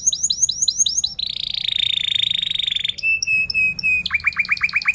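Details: Loud canary song for teaching young canaries to sing; a run of doubled high chirps, a long buzzy roll, evenly spaced piping notes, then a fast series of lower downslurred notes.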